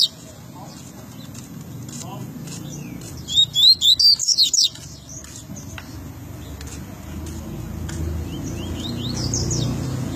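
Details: Double-collared seedeater, recorded in RJ, giving a brief burst of high, quick slurred whistled notes over a steady low rumble of traffic and background noise.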